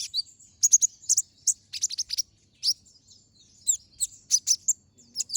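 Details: Brown-throated sunbird, ngobra-style singer with sharp shot notes, recorded as a master for other birds; clustered high, piercing chirps in short bursts separated by brief silences.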